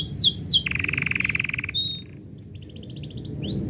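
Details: Canary singing as its owner is about to leave: sharp upslurred whistles, then a fast buzzy trill held over a second, a short whistled note, a rapid rattling series and a final rising whistle.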